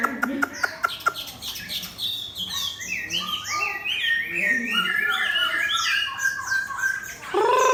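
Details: Chinese hwamei, a competition bird with its tail fanned, set against a fighting bird: a few sharp clicks, then a dense run of varied whistled notes, sliding up and down, ending on a loud lower note.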